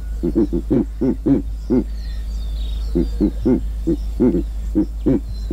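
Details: Giant eagle-owl in Kruger National Park: a run of deep, low grunting hoots. The hoots come in quick pairs and short bursts, several per second, with brief pauses between groups. A steady low hum sits underneath.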